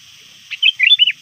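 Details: Calling to rivals near dusk, a trained sooty-headed bulbul gives one quick phrase of a husky opening note and clear, rising-and-falling looping whistles.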